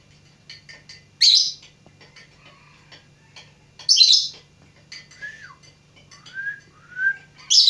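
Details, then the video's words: Lovebird in training to sing, mixing loud scratchy chirps with soft clicks and several short, clear whistled notes that bend downward, set against a low steady hum. "Burung lovebird belajar berkicau"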